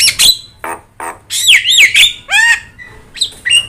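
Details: Javan myna with yellow eyes singing, kept as a tutor to train other songbirds: harsh squawks alternate with loud rising and falling whistles and buzzy rasping notes, each burst short and separated by brief pauses.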